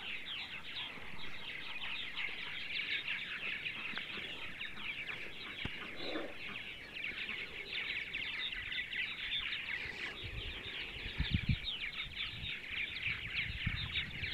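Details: Many purple martins chattering nonstop on a sunny Sunday morning in central Ohio: rapid, throaty gurgles and clicks layered together, with faint low rumbling near the end.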